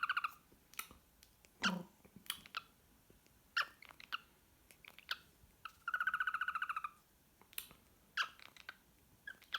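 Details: Singing pet cockatiel indoors, giving scattered sharp clicks and short harmonic chirps, one sustained buzzy pulsed phrase near the middle, and a brief low rough note early on.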